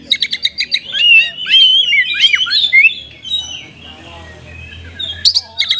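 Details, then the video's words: Oriental magpie-robin, caged, with ornate filled song meant to excite lazy caged birds to sing; rapid chips, then a warbled, rising and falling whistled phrase, a quiet gap, and brief sharp notes at the end. "TOP KACER GACOR isian mewah 🔴 pas untuk pancingan burung Kacer loyo malas ngoceh jadi tambah EMOSI!!"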